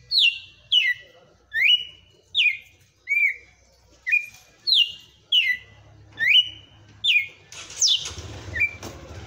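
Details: Powerful 'açoite' song of a privately kept red-cowled cardinal: strong, falling whistled notes given in a steady series about once a second, ending with a burst of noisy background sound.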